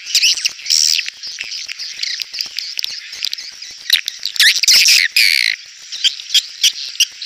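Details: Swiftlet calls meant to draw birds into a crowded swiftlet house: dense, overlapping high chirps and squeaky trills, some short buzzy bursts, with loudness rising and falling irregularly throughout.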